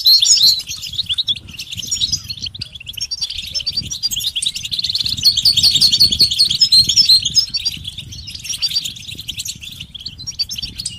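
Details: Goldfinch mating and readiness song meant to rouse a quiet male: long run of fast, bright twittering and liquid trills, loudest in the middle, thinning toward the end, with constant low background rumble.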